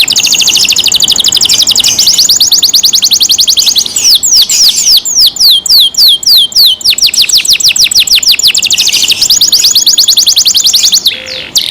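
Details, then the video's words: Caged canary in full song, loud and sustained: long rapid trills of tiny repeated notes, broken by slower series of downward-swept whistles, then trilling again. "canary Nice sound"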